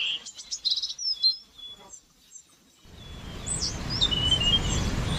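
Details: Birds singing on a spring morning in nature: high thin chirps and whistles during the first two seconds, then a steady broadband rushing noise, with a few more whistled notes and a drawn-out high trill above it.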